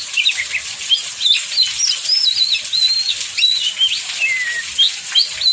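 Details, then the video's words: In a heavy downpour, an oriental magpie-robin sings to draw others into song: bright looping whistles and short trills, with one long falling whistle near the end, all over loud rain hiss. "Pancingan Kacer PAS HUJAN DERAS, Kacer Lain Langsung Ikut Gacor"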